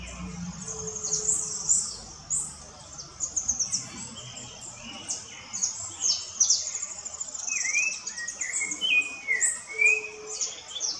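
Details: Woodland chorus dominated at first by high, thin chirps of other birds. Later a Rufous-bellied thrush adds several rounded, slurred whistle phrases, rising and falling.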